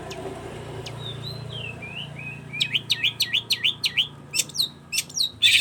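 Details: Long-tailed shrike song: faint falling whistles, then a rapid string of looped whistled notes, sharp descending chips and a closing harsh burst.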